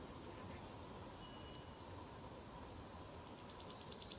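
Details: Wood warbler song in Lübeck, 13 May 2023: thin, high ticking notes that speed up and grow louder into a shivering trill, over a steady low background rumble.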